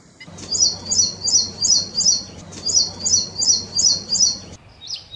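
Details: High, bright chirps from an Ashy prinia, about eight doubled notes delivered evenly at roughly three per second, briefly pausing midway, then a softer fragment after an abrupt cut; low background hum throughout.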